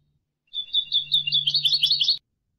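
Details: European goldfinch tutor song: a single sustained, rippling trill of high chirps, growing more tumbling and liquid toward its end, with a steady low hum beneath.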